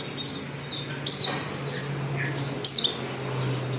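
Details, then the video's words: Luring call of a female Oriental white-eye, given to set males singing; thin high chirps falling in pitch, spaced roughly every half second, with a steady low hum. "pancingan pleci betina paling ampuh,bikin pleci jantan ngalas"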